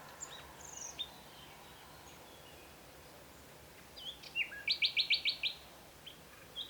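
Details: Common nightingale in Mediterranean Provence habitat during the spring breeding season sings clear, varied whistles, then a loud burst of about seven rapid, sharp repeated notes, over a faint rural background.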